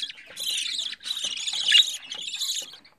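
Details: Fourteen-day-old budgerigar nestling kept by a home breeder: three long, grating, hissy rasps, the middle one loudest and slightly squeaky, separated by short silences.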